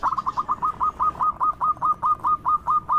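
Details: Local zebra dove with a loud voice, used to draw out other doves: a steady string of short, slightly falling cooing notes, roughly four per second, very regular and clear.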